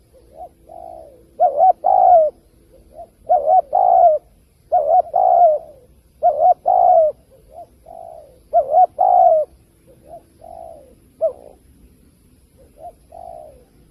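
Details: Spotted dove, recorded as a lure call for bird trapping. Over fourteen seconds it gives about six loud two-part coos, and quieter lead-in coos fill the gaps. A faint steady hum runs underneath.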